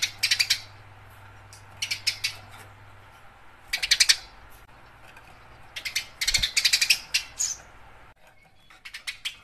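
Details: Eurasian tree sparrow chirping vigorously while fighting, recorded as a tutor track for competition birds: dense clusters of shrill, clipped chirps in bursts every second or two, with brief quiet gaps between volleys.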